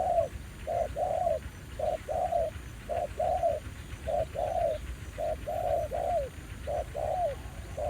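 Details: Wild spotted dove, fairly aggressive, calling at a ground-decoy trapping site returned to after one year; rhythmic coo phrases, clipped note then drawn-out falling coo, roughly once a second, with faint background hum.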